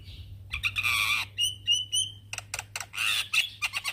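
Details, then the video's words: Male Javan myna calling to young companions: a noisy burst, then a run of clear whistled notes and dry clicking rattles, ending in another harsh scratchy phrase over a faint low hum. "Kicauan Jalak Kebo Jantan Memanggil Kawan Jalak Kebo Muda"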